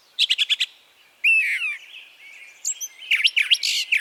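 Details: Brown thrasher (Toxostoma rufum), a spring and summer migrant in Harvey County, Kansas, singing: a quick burst of five harsh chips, then varied slurred whistles and buzzy phrases, high and rich, in rapid changing succession; songs often given once, twice or three times.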